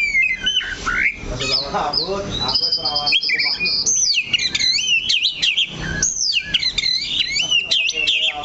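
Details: Oriental magpie-robin, a caged bird holding one spot on its perch, singing a fast stream of high looping whistles, sharp upslurs and buzzy chatter, with low background noise throughout.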